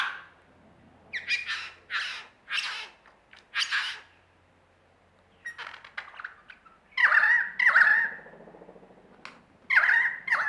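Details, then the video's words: Lyrebird in Australia performing mimicry: a mix of short sharp bursts and chips, a soft rattling pause, then loud vibrant trilled whistles that return after a short gap. "Lyrebird performance"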